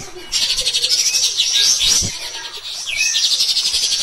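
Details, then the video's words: A vocal Cotton pygmy goose, recorded as training material for other cage birds, gives a dense, shrill chattering run after a brief quiet start, then a falling whistled note and more fast rattling. "KAPAS TEMBAK EDAN GACOR | MBESET NEMBAK NGOTOT"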